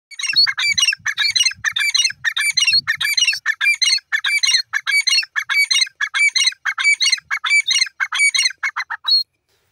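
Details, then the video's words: Grey francolin, or teetar, from Pakistan, giving a rapid series of harsh, high, ringing multi-note calls, repeated about one and a half times per second for nine seconds, with faint low thumps early on. "Teetar sound pk Titar francolin ki awaz"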